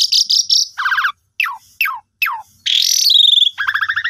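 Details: Asian pied starling lure song, meant to make silent kept birds sing: rapid chirps, then three steep downslurred whistles about half a second apart, a loud harsh buzzy burst and a stuttering run of chips.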